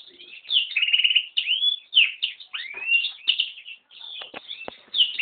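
A yellow-rumped serin × canary hybrid sings a fast, continuous canary-like warble of high twitters, buzzy trills and rising slurred whistles, with a few sharp clicks near the end.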